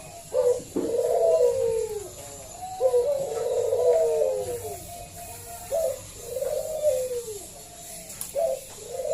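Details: Local zebra dove calling, used as a lure to draw other doves into singing; loud, full-voiced cooing in rounded, slurred phrases, several coos grouped with short gaps, a faint steady hum behind.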